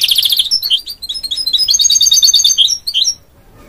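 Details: A goldfinch-canary mule opens with a fast high trill, then continues with quick twittering and whistled notes before falling silent.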